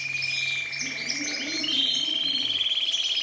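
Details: Syrian canary holding a sustained pulsing roll that steps up in pitch halfway through, over a faint wavering low sound in the background.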